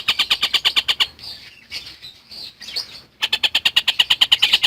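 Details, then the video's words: Collared kingfisher in full chatter, a tutor recording for lovebirds: a second of fast, rasping notes, a quieter stretch of scattered softer calls, then another quick, intense run of repeated kek sounds. "Burung Tengkek Buto Gacor"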